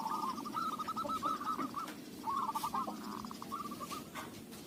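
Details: Local zebra dove singing as a lure: rolling trills of soft coos in several bursts, partly masked by steady background hiss and low rumble.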